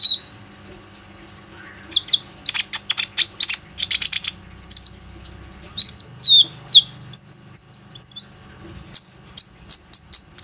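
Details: Plain-throated sunbird singing to lure other sunbirds into calling, phone recording: clusters of high thin chirps, then slurred whistles and a trilled series of clear high notes, over a faint low hum.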